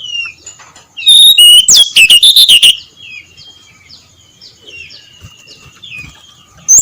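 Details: Ngeplong-style dawn song of a brown-chested jungle flycatcher. A loud, fast cluster of high whistles is followed by a steady series of soft, downslurred whistled notes, several per second.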